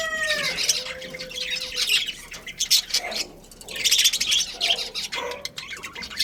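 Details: Colony of budgerigars, breeding pair included, chattering in high, scratchy chirps, after a drawn-out, falling, tonal call from another bird at the start.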